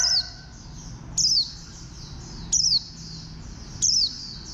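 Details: Warbling white-eye, described as a green white-eye with a bantam-like build: thin, high, quickly falling whistled notes, one about every 1.3 seconds, over a soft chatter of other small birds.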